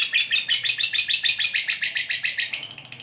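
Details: Lovebird chattering in a rapid ngekek burst, harsh high notes pulsing about three times a second in a tight, even run.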